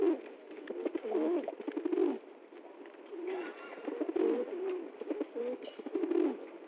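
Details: Pigeon dancing happily on being given food, cooing almost continuously in deep, wavering, throaty phrases that rise and fall, with scattered clicks and scuffles in the background.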